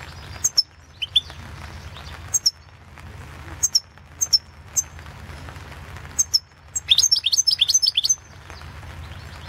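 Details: European goldfinch in the 2016 World Championship in Goldfinch Song competition. Isolated sharp high ticks are spaced a second or so apart, then a fast, tinkling twittered phrase runs for over a second near the end.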